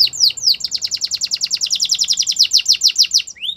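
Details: Canary song for training caged birds: a few swooping notes lead into a long fast rolling trill of repeated downslurred syllables, closing with a rising whistle.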